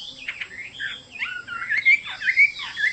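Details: Quieter, jumbled Chinese hwamei song of mixed chirps and short slurred whistles, with a few brighter notes standing out toward the end.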